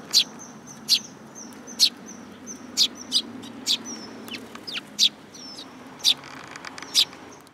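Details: Sparrows taking food from a person's hand at a Tenmangu shrine, 7 July 2022; a steady run of loud, sharp chirps spaced about a second apart, with thin high whistled notes between them.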